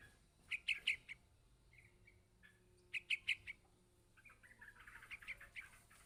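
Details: Young yellow-vented bulbul calling for its parent, giving clusters of three to four quick, shrill chirps. The clusters repeat about every two seconds, then trail into softer chatter.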